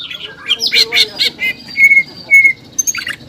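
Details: Caged greater green leafbird singing in its vigorous 'ngobra' and 'jamtrok' styles, said to be driven by excitement and arousal: a rapid jumble of harsh chirps and buzzy notes, then two clear level whistles and a closing burst of sharp notes.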